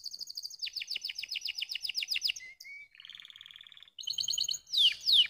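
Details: Canary song played to stimulate lazy birds to sing: rapid series of descending high notes about five per second, then a steady low whistle, a buzzy trill, and sharp sweeping notes at the end.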